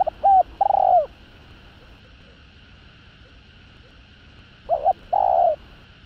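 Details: Two spotted dove coo phrases about four seconds apart, each short hoots leading into a long, downward-curving coo, used to provoke rival males; low continuous hum in the background.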